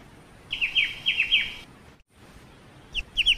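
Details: A black-winged starling, called ciu, sings a steady run of about six bright falling chirps, then a brief silence and the start of another chirping burst.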